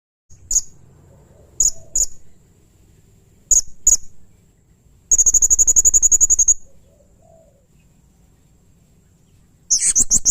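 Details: Blue-crowned hanging parrot (serindit) singing actively: sharp high, isolated squeaky notes, then a fast even trill of shrill piping notes lasting about one and a half seconds, ending with a burst of rapid strident notes.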